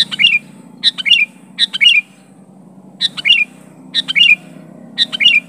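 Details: Kutilang, or sooty-headed bulbul, calling at an opponent: six evenly spaced phrases of quick chirps finishing in a bubbly downslurred note, with a low steady hum in the background.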